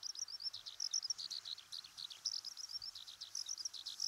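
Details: Continuous high-pitched warbling of a Eurasian Skylark from the fields, grasslands and waterside habitats of Japan: quick twittering notes and short slurred whistles pouring out in a ceaseless chattering flow, with a soft background hiss.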